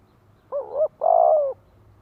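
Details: Spotted dove used as a lure bird, cooing to draw wild doves: two low mellow coos, a short one then a longer sustained one, with a quiet background.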